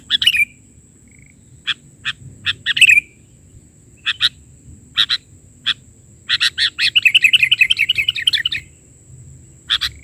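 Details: Sooty-headed bulbul in vigorous 'isian' filler song, 'bahari' version: sharp broadband chip notes scattered through the clip, then a quick warbling run of rippling notes near the end, over a steady high electronic whine.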